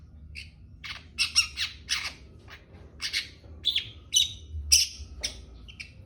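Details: Long-tailed shrike in trotol style, delivering rapid harsh rasping squawks almost twice a second, bursts uneven in spacing and loudness, some notes sharper and whistled, with a faint low hum beneath.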